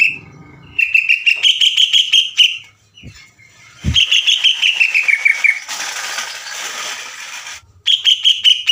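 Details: Greater green leafbird in good voice on a provoking recording: long bursts of fast, even, high chattering notes, one trailing down in pitch, broken by a loud dull thump and a stretch of hiss before a final burst.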